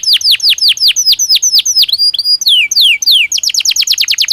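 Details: Canary in a cage, breeding season, singing a series of loud descending whistled notes repeated about four per second, a short buzzy phrase, then a rapid trill.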